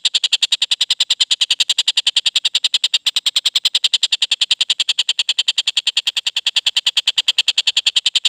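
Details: Collared kingfisher, a young bird freshly moulted out of its juvenile plumage, repeating loud, grating notes at an even pace of roughly three each second, without pause.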